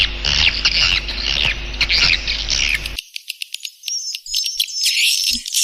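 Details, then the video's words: Swiftlet calling sound used to lure edible-nest swiftlets: fast, twittering high chirps over a low hum, then the hum drops away leaving crisp repeated tweets. "suara panggil burung walet"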